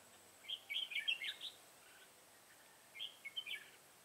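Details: Red-whiskered bulbul used as a trapping decoy, singing in a fight to lure wild birds, 25 September 2018; a busy warbling phrase of quick bright whistles, then a shorter matching phrase after a pause.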